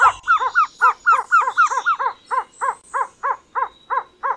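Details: Trogon in tropical forest calling a rhythmic series of rich, hollow repeated notes about four per second, with a fainter thinner series overlapping early on and soft high insect buzz behind.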